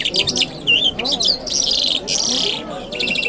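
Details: Lark, the jal mashhadi, recorded in Kabul on a Friday morning, pouring out rapid high rattles, a few sweeping whistles and buzzy trills with hardly a break.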